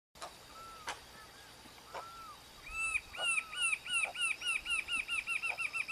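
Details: Rufous-capped antshrike recorded at Ceibas, Entre Ríos, on 19 October 2019, a single bird singing at length: after scattered clicks, a fast run of arched, slurred notes, about four per second, gradually speeding up.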